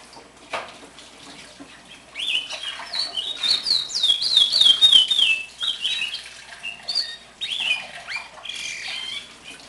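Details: Hand-raised house finch, one year old and kept in captivity, delivers a sustained, rapid warble of high slurred notes, many sliding downward in quick succession. Behind it a young brown-backed solitaire sings its unfinished warbling song.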